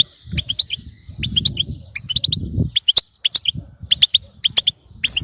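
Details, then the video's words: European goldfinch chirping bitbeta to keep a goldfinch singing; rapid twittering clusters of bright, slightly rising notes, with soft low background rumble in the first half. "بتبتة تخلي حسونك لا يعرف الصمت"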